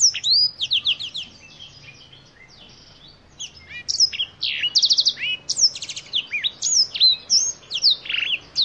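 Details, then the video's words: Black-throated canary, a finch originally from Africa with a black throat patch like a tie, sings a rapid, varied song of high sweeping whistles, buzzy trills and chirps in bursts, with a brief quiet pause midway. "BlackThroat - Canary BlackThroat Sound"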